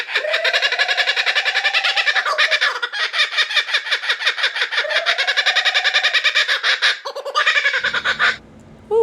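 A kookaburra's raucous laughing chorus: rapid, harsh chuckling notes that rise and fall in long rolling bursts, ending abruptly after about eight seconds.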